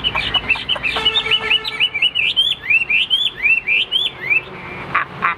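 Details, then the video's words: Hwamei kept as a cage bird, in full competitive display, delivers a run of loud rising-and-falling whistled notes at a steady pace, ending in a few sharp clicks. "Đẹp đấu xòe chất giọng cực hay"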